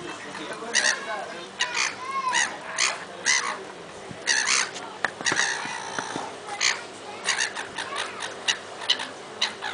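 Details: Two black-headed gulls squabbling at Lymington on 26 April 2010, trading harsh, nasal squawks in quick bursts, some overlapping and repeated roughly every half second, with short quiet gaps between flurries.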